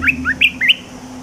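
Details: Red-whiskered bulbul kept as a cage bird, singing a newly learned song phrase: four quick, bright whistled notes, each sliding upward, delivered in under a second over a steady low hum.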